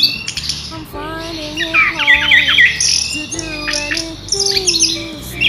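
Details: Orange-headed thrush in loud, clear rolling song, used as a lure and tutor recording: dense high whistles and rapid chattering notes with quick up-and-down slurs, broken by lower wavering tones, continuous for several seconds.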